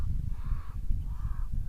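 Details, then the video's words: Cape crow giving two drawn-out, nasal caws about half a second apart, partly masked by a heavy low rumble of wind; one of a family of four living on open plains, foraging by probing the soil, 24 December. "ah there you can hear the crow calling"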